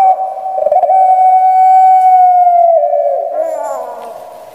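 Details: Barbary dove of the pelung style, kept in Java, Indonesia, with a shrill voice, holds one long even coo for over two seconds before breaking into a lower, fading, gravelly trill.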